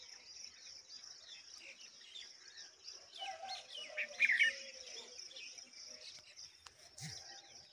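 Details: A red-vented bulbul feeding large mantises to its young gives a few quick, bright chirps midway through, over a steady high insect drone and faint background noise.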